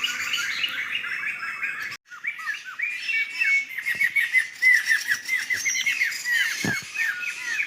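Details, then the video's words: Flock of laughingthrushes in a Sumatran forest: rapid series of short, downward-slurred chirps tumbling over one another after a brief silence. The pulsing, noisy chatter continues steadily. "Suara burung Poksay dihutan"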